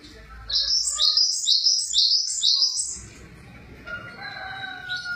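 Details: Java sparrow singing a quick run of high, bright chirping notes that rise and fall in linked pairs for about three seconds, followed by softer thin whistled tones and faint background noise.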